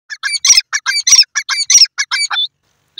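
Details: Francolin (Iranian teetar) in the evening gives a harsh, grating string of rapid, buzzy notes, about a dozen in two and a half seconds, loud and clear with nothing else heard.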